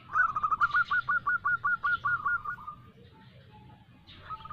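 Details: Female local zebra dove calling a male, kept as a lure to draw a reply: a quick run of about a dozen crisp, hooked cooing notes at an even pitch, then fading into quiet with a few faint notes later.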